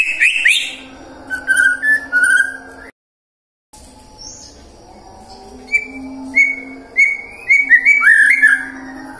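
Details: Murai batu (white-rumped shama) lure song to prompt singing at different times of day: scattered clicks and whistles, a brief silence, then a run of short upslurred whistles and quick notes over a low hum.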